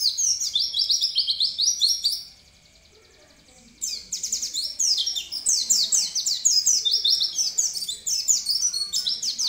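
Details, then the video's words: Oriental white-eye of the bukpar type singing continuously. The chattering song is high and twittering, with rapid jumbled rising and falling notes. There is a quiet pause of about a second and a half, then lively singing resumes. "pleci bukpar gacor"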